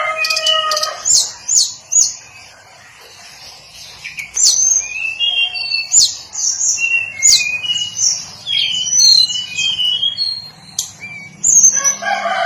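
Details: Hill blue flycatcher, known locally as tledekan gunung, a small songbird: a varied run of high whistled notes, short rising and falling phrases and quick chirps, packed densely with brief pauses, continuing throughout.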